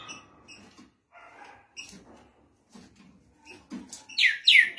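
Green-winged Saltator opening its song with loud, rich, slurred whistles near the end, after several seconds of faint scattered chirps and quiet background sounds.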